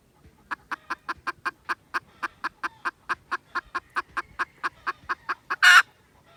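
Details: Red junglefowl recorded 16 December 2021: a regular series of short, sharp clucks at about four per second, ending with one loud, broadband burst.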